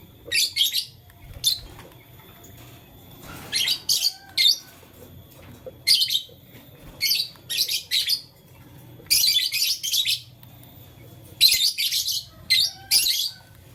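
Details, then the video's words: Blue, lutino and green lovebird playing with a flower, chirping steadily: bursts of shrill, scratchy high notes in clusters of two or three, repeated across the recording with short silent gaps between them. "Blue Lutino Green LoveBird Playing Flower - Chirping Sound"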